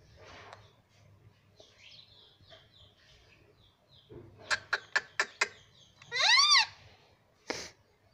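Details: Pet parrot indoors that talks, saying mummy and papa; soft clicks and faint notes lead to four sharp ticks, then a loud arching harmonic squawk and a final short cry.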